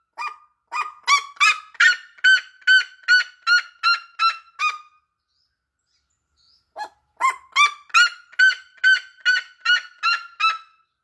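A red-legged seriema gives two loud bouts of harsh, honking yelps, each about a dozen notes at a steady quick pace, separated by a brief pause.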